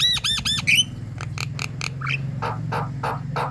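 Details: Javan myna (jalak kebo) in full lively song, used to prompt other birds to sing: harmonic arched whistles repeated quickly, a rising squeal, then a run of harsh broadband clicks and rasps, over a steady low hum.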